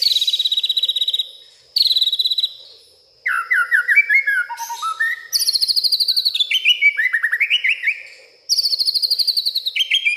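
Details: White-rumped shama (murai batu) singing agitatedly at night, a rich, varied song of rapid chattering trills and slurred whistles, sweeping between high and mid pitches in quick phrases and mimicking many other birds.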